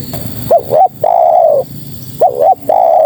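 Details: Female spotted dove summoning males: two clipped coos and a long, smooth, flat-to-falling coo, then the start of a second identical phrase, with low background rumble.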